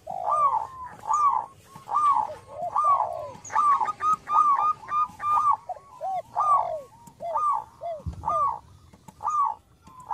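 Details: Zebra dove, local bird with a small voice, singing as a lure: steady alternation of rolling double notes and low bowed coos, roughly one phrase per second, with a soft thud near the end.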